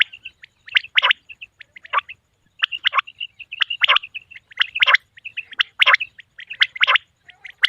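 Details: Calling male common quail gives sharp, rasping bursts of clipped notes about once a second, some bursts longer and stuttering, with small chirping notes between them and little other noise.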